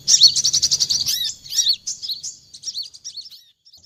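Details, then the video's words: Olive-backed sunbird lure sound used for trapping birds: a rapid, high-pitched chattering trill for about a second, then sharp, scattered twittering notes with quick upward and downward slurs. A faint low hum runs under the opening trill. "suara pikat mp3 burung kolibri kelapa"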